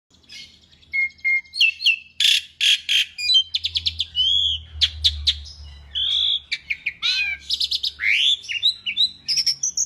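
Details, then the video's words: Asian pied starling song used as a training recording for other songbirds: a dense run of buzzy broadband bursts, short rising whistles and slurred downward notes, almost unbroken for ten seconds. "kicau jalak suren masteran gacor"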